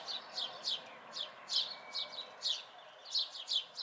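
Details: Fledgling house sparrows, local, May 2020, chirping busily: a dozen quick, high, downslurred notes in under four seconds, overlapping in places as if several birds call.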